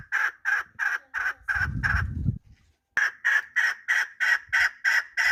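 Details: Repeated harsh chuk calls of a chukar partridge, about three per second, briefly masked by a low rumbling burst near two seconds, a short silence, then the rhythmic series resumes.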